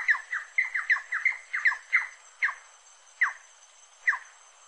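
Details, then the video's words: Rufous-necked wood rail giving loud, sharp squealing notes that dip in pitch, rapid at first then slowing to about one per second, over a steady high insect hiss. "CANTO DA SARACURA-DO-MANGUE"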